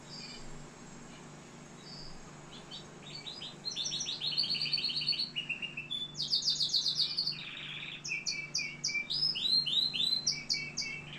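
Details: Canary from Algeria singing: quiet opening notes build into loud, rapid, high trills and chirping phrases that shift in pitch, with a faint steady hum in the background.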